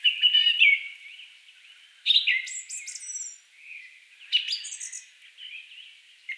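Song Thrush delivering bright, varied phrases of clear whistles and high, sharp notes in bursts about two seconds apart, over soft background bird chatter.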